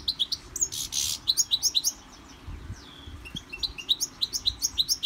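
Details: European goldfinch singing in a Victorian brass cage while undergoing song training: quick twittering phrases of sharp, high chirps in rapid bursts, a brief broadband rustle near the start, and a short pause midway before the chirping resumes.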